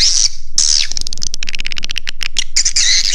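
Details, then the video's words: Swiftlet call recording of the kind used to attract swiftlets, with high, buzzy twittering chirps broken in the middle by a fast run of dry, clicking ticks. "Suara Inap Walet Raja Di Laut Call Swallow Birds tiếngchimén เสียงนกแอ่น"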